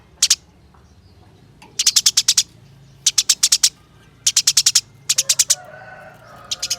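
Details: Caged contest house sparrow singing clusters of four to six piercing, evenly spaced chirps, the clusters repeating about once a second, with a faint low whine beneath near the end.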